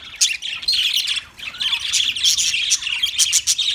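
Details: Budgerigar chattering: rapid, buzzy warbled notes mixed with brief high chirps, running almost without pause through the few seconds, with a short dip in the middle.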